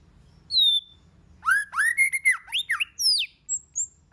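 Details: A high falling whistle from a White-rumped shama opens the clip. Varied song follows, with a fast string of rich, slurred whistled notes rising and falling, then higher sliding whistles and a thin closing note.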